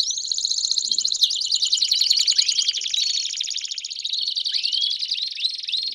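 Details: Belgian canaries singing as a group to encourage a canary to sing more, a continuous overlapping rush of high rolling trills and buzzy chatter with a few upward-swept whistles toward the end.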